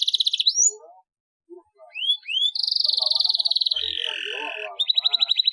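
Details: Canary song with a long roll, aimed at getting idle canaries singing: a pulsed trill, a brief pause, two rising whistles, then a long buzzy roll dropping in pitch and a final rapid trill.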